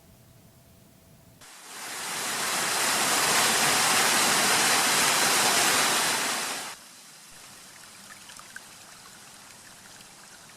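A steady broadband rush of water or wind noise for about five seconds, with quieter ambient hiss before and after and no animal calls.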